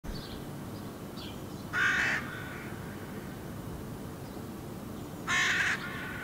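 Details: Hooded crow fledgling on rocky ground in Helsinki, Finland, in July 2017, walking, running and hopping while calling: two loud harsh nasal calls about three and a half seconds apart, with faint high chirps from other birds.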